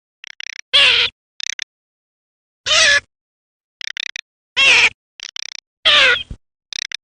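Garganey giving loud, harsh, nasal drawn-out calls every one to two seconds, with short dry crackling rattles between them.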